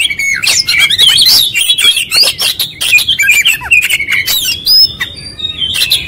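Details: Oriental magpie-robin singing vigorously in full repertoire style: loud, fast stream of clear whistles, sharp rising and falling slurs and scratchy trills, barely pausing, with a long level whistle near the end.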